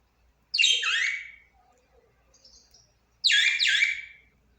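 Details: Budgerigar giving two loud, scratchy chirps about two and a half seconds apart, each a quick falling squawk with a rasping edge, with faint soft twitters in between.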